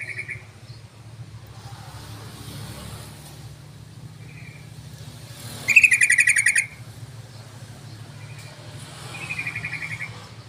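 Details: Yellow-vented bulbul call used as a lure to draw other bulbuls: over a steady low hum, faint chattering bursts frame one loud, rapid bubbly burst of pulsed notes midway, with a softer chatter near the end.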